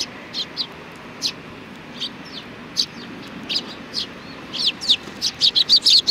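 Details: At a shrine on 4 July 2019, sparrows give spaced high chirps that quicken into a dense, loud chattering sequence at the end.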